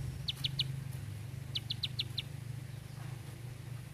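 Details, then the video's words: Bar-winged prinia giving two short runs of sharp clicking notes, three then five, followed by quiet, against a steady low hum. "Ciblek Sawah // Prenjak Klik // Tembakan Panjang Rapet Ciblek"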